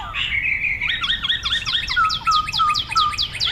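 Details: A Chinese hwamei in Hong Kong sings loud, clear whistles: a long sliding note, then a fast run of repeated downslurred notes about four per second over a steady lower tone.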